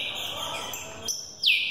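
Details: Green-winged saltator youngster in training for the 2018 season, caged: a sustained whistle fading out, then a sharp downslurred whistled note; a man counts each song aloud.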